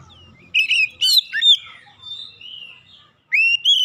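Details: Oriental magpie-robin lure song, played to coax reluctant birds into full singing; loud, varied whistled phrases sliding up and down with sharp chirps in quick bursts, a short pause, then two rising clear whistles.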